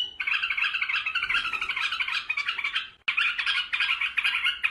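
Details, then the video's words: Singing bulbuls of Iraq: continuous rough, buzzy chattering in a dense stream, broken once by a brief gap before resuming. "تغريد بلابل العراق"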